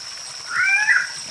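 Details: Guianan cock-of-the-rock uttering a brief nasal, cat-like squawk with layered harmonics, bending upward then down, while a continuous high-pitched insect tone hums behind it.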